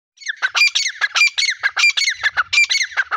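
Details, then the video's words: White teetar, a grey francolin, calling in a rural outdoor setting: loud, harsh, squawky two-part notes repeated steadily, about two per second, each with a sharp falling stroke, throughout the recording. "White teetar voice | White Partridge voice | teetar ki awaz"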